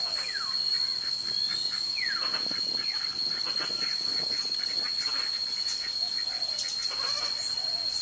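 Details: A flock of ducks at a swamp beside abandoned rice fields near forest in the dry season, during drought, gives many overlapping high, sweeping whistled calls, with a steady high insect-like drone throughout.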